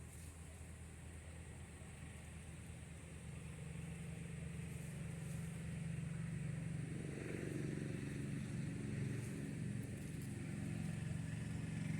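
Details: A steady low engine rumble from a passing vehicle builds through the clip, with no animal voice heard.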